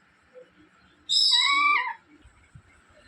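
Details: Caged pet parrot crying after being shut in its cage early: one loud, drawn-out, harmonic wail lasting nearly a second, bending slightly downward at the end, with quiet background speech before and after.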